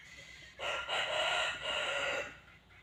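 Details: Wild red junglefowl giving one long crow lasting nearly two seconds. It is rough and strained, with a couple of brief dips in loudness partway through, over a steady background hiss.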